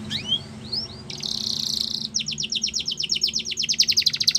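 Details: Yorkshire canary singing for young canaries to learn from, starting with a few soft rising whistles, then a buzzy burst and a long accelerating series of repeated chip-like notes over background hum.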